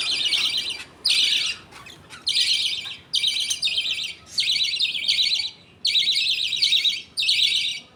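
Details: Budgerigars in a happy colony at feeding time, with the father feeding two chicks food paste. Rasping, high, warbling chatter comes in about seven bursts, with short quiet gaps between them.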